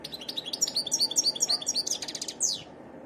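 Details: Rapid, varied twittering from a wild European goldfinch: high chirps repeated about four per second, bright and liquid, ending in a quick descending note, steady low hiss underneath.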